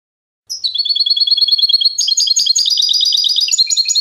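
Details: European goldfinch song beginning with a steady string of repeated high notes, then breaking into dense, fast, bubbling twittering that continues to the end.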